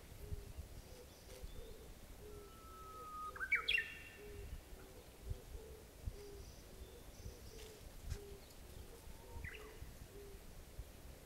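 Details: Japanese bush warbler singing on 26 April 2016 in spring: a long, low, level whistle sweeps up into a quick, sharp flourish, and a shorter upslurred phrase follows near the end, over a steady chorus of soft, low, pulsing notes and hiss.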